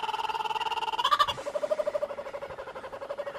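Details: Laughing kookaburra giving a rapid, rolling chuckle of evenly pulsed harmonic notes. The notes swell briefly into a louder, higher burst, then settle into a steady lower rattle that runs to the end.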